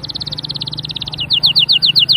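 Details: Canary song with a fast, even high trill that shifts into slower, louder downward-slurred notes repeated about seven times per second, with a faint low hum behind.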